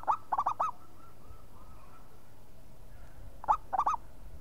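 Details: Local zebra dove in active, vigorous song: two bursts of four quick, arched, hooting coos, one at the start and another after a three-second pause, with a faint steady hum between them.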